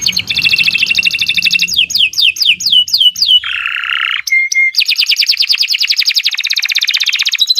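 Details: Canary gives an energetic long gacor song. A rattling trill leads into a string of falling slurred whistles, then a harsh low buzz and a short clear whistle. A long, rapid high trill closes the passage.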